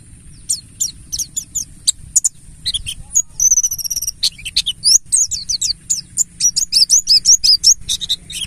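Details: Mountain white-eye singing in the ngalas style, used as a lure to make kept birds sing: a dense, fast stream of very high chirps, twitters and short trills with only brief pauses, over a faint low hum.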